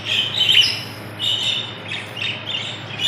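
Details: Budgies from Pakistan giving rapid, high twittering and squeaky warbled notes in quick succession, with a constant low mains hum underneath.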